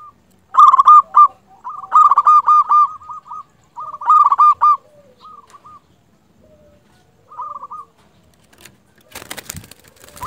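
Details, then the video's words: A local zebra dove used to lure others into calling gives several loud, rapid coo phrases, then quieter broken notes, ending in a brief rustle or knock. "Perkutut lokal gacor Raja pikat ini ahlinya bikin burung perkutut lain gacor nyaut"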